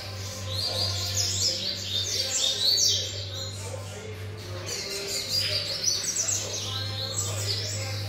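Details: High, rapid song from a seven-month-old variable seedeater: clustered whistled sweeps and chattered trills in bursts, with a loud steady low hum underneath.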